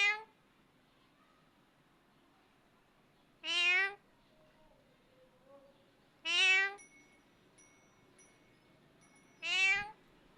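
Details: Parrot copying a cat to call it: four loud meow-like calls spaced about three seconds apart, with soft tonal murmurs and a faint steady high tone in between.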